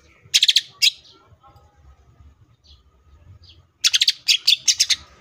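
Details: Short bursts of fast, sharp chattering notes from a greater green leafbird in "full tembakan" style, a quiet interval with faint thin notes, then a longer run of loud repeated chips.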